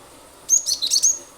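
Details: Cinereous tit (glatik batu) singing vigorously, a recording meant to set other birds singing: one tight, bright cluster of high chirps and short whistles running together for about seven tenths of a second.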